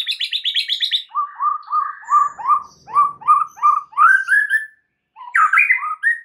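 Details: Lure song of a white-rumped shama, full of mimicked filler phrases, intended to prompt other birds to sing: a high buzzy trill, then a series of low, slurred whistled notes rising slightly, and after a short silence, warbling notes resume.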